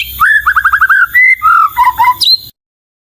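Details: White-rumped shama phrase: a rising whistle, five quick repeated slurred notes, a held whistle, paired lower notes, then a high sharp ending before silence.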